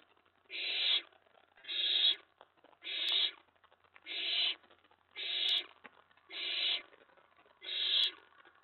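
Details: Steady series of seven harsh, hissing screeches from an owlet, excited at a late-night mouse delivery on May 19, 2017. Each burst is about half a second long, evenly spaced just over a second apart, with quiet clicks.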